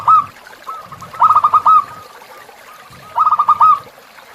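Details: Zebra dove tutor song for captive birds, with river ambience: a short coo, then two rolling phrases of rapid pulsed notes each finished with a longer coo, spaced about two seconds apart.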